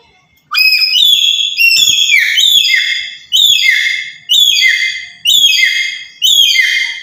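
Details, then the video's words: A black-capped lory kept as a lure for trapping, calling loudly. It gives rich, harsh notes that slide downward, each about half a second to a second long, repeated seven times in quick succession. "Sekali Pancing Saja Langsung Burung Nuri Apapun Bunyi"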